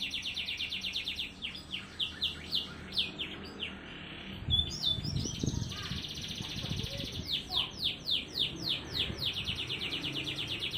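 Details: AF canary with a quick, tight, uniquely phrased song used as tutoring material and to prompt lazy canaries to sing; high trills and slurred notes, a sustained tone in the middle, faint low thumps, then a fast trill.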